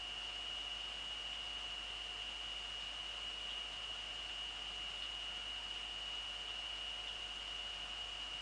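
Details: Only an unchanging high-pitched tone and background hiss fill the recording, without any animal voice.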